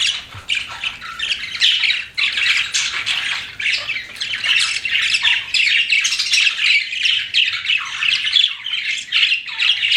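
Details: Several pet budgerigars keep up a continuous chattering chorus of scratchy chirps and warbles, dense and unbroken throughout.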